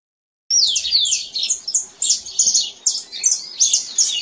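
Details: Canary singing in nature: after a brief silence, a continuous run of high, fast chirping and trilled notes with quick rising and falling sweeps, phrases running together almost without pause.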